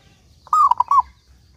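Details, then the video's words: A single rolling phrase from a lively local zebra dove: a clear cooing note that falls into a quick run of short bubbling notes. "Perkutut Lokal Gacor Suara Paling Ampuh Untuk Pancingan Burung Perkutut Agar Bunyi"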